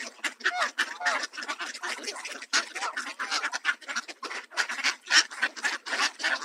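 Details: A dense chorus of harsh, nasal quacks from several excited Mallards swarming over handfuls of bird seed, with Canada geese nearby, in Southern Ontario, Canada; about three to four calls a second.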